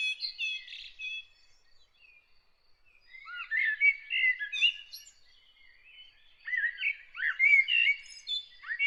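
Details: Bird singing early in the morning: bursts of quick, warbling phrases of twittering and slurred whistled notes, mostly high, with short pauses between phrases and a soft background hiss.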